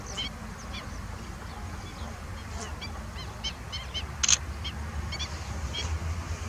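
Ruddy shelducks give short, nasal, honking calls in a loose, irregular series over a steady low rumble of background noise.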